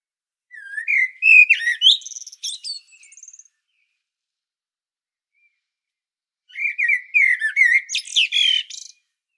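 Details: Two full song phrases from a common blackbird at Sljeme, Medvednica, Zagreb, Croatia, about four seconds apart. Each opens with warbling fluted notes and ends in a high, chattering twitter. Recorded with a Panasonic Lumix DC-TZ90.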